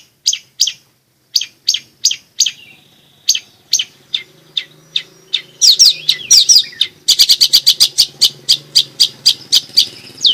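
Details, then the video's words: Long-tailed shrike in vigorous song, used to coax reluctant shrikes and train young ones: spaced sharp chips, a short whistled slur, then a quickening run of bright, rapid notes over a faint low hum. "BURUNG CENDET/PENTET GACOR"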